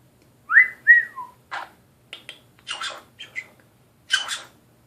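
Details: Nanday conure kept as a pet, making noises at the mirror: two loud whistled notes rising then gliding down, then a string of short, harsh screeches and clipped chirps, loud against a quiet indoor background.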